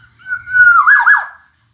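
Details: Black-naped oriole, or kepodang emas, in a tutoring recording for songbirds: one fluty whistle held level, then breaking into a rich, rolling warble that drops away, the whole phrase lasting just over a second in a quiet setting.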